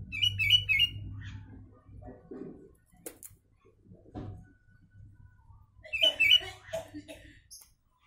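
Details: Sooty-headed bulbul song filled with Javan myna imitations, meant as tutor material for training mynas and bulbuls: two quick bubbly whistled phrases, near the start and again after six seconds, with soft chatter between and a steady low hum.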